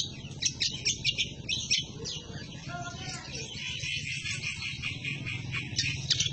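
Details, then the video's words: A greater green leafbird (cucak kombo), a vigorous singer recorded as a training tutor for other birds, pours out a fast, scratchy scolding chatter of high chirps and twittering notes over a steady low hum. "Kicau burung cucak kombo ngomel gacor untuk suara masteran"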